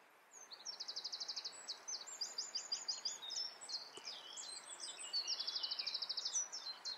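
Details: European robin singing in the Eifel, Germany: high, thin phrases of rapid, evenly repeated trilled notes alternating with short sweeping whistles, delivered in quick succession over a faint steady background hiss.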